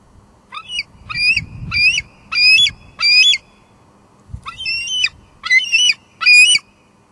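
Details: Bald eagle female at the Two Harbors nest in July 2022, calling out from the nest on a live cam; two runs of high, piercing squealed notes, four then three, separated by a pause, with faint low thumps.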